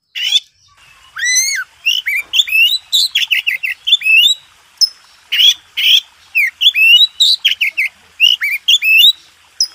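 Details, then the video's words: White-rumped shama singing master song for contest birds: long, continuous varied phrases of upslurred whistles, sharp chips and rapid chattering notes, with brief gaps. "MASTERAN SUPER MEWAH‼️JUARA KONTES.NO1"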